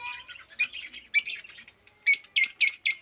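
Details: Rosy-faced lovebird, also called African lovebird, chirping loudly: a run of quick shrill squeaks, then four sharp piercing chirps in fast succession.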